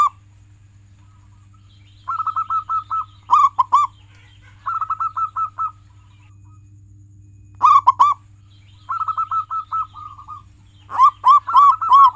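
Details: Several phrases of local zebra dove song, played to get pet doves singing. Each phrase pairs a quick rolling run of short coos with a burst of louder, fuller notes, with pauses between phrases.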